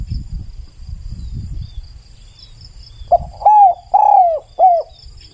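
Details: Spotted dove song: after about three seconds of low rumbling noise, one phrase of three low, slurred cooing notes arrives, the middle note longest. A thin, steady high insect hum runs throughout.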